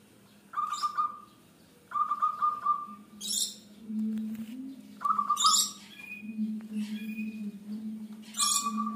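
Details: Local Zebra Dove singing actively, its song suited to luring other birds: short trilled coos, each dropping slightly in pitch and repeated four times, over a steady low hum with harsh rustling bursts between phrases.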